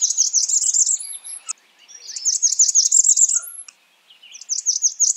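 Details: Blackburnian warbler repeating its song: three bursts of rapid, thin, very high notes, each phrase about a second long with a rising tail, with soft lower chips between phrases.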